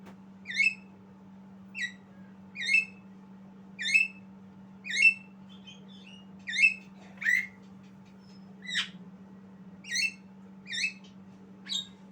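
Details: Young Javan myna learning to sing, giving short chirping notes that rise and then drop, about one each second, eleven in all, a few of them sharper and squeakier, over a steady low electrical hum.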